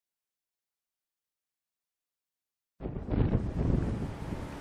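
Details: Nearly three seconds of silence, then low rumbling wind noise on the microphone, with no animal sounds.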